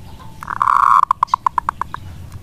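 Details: Local wild-type zebra dove in full song, used to coax lazy doves into replying. A drawn-out cooing note is followed by a train of short, evenly spaced pulses that quicken slightly, with a soft murmur behind.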